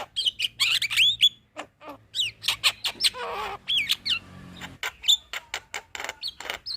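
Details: Javan myna singing busily as a training master for other birds, mixing sharp whistled upslurs, harsh rasping notes and rapid clicks in a dense, jumbled stream.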